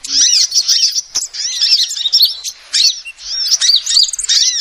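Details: Female sunbird lure calls, heard as rapid high-pitched twitters of looping, rising-and-falling chirps in short bursts, with a sharp click after the first second.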